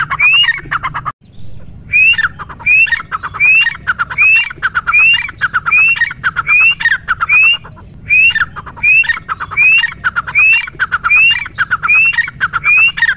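A grey francolin repeats loud, harsh, squeaky phrases, each ending in a rising note, roughly every second with little pause.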